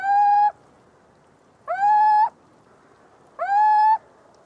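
A Little Owl gives three drawn-out, slightly rising, mewing kiew calls, one roughly every 1.7 seconds, over a faint background hiss.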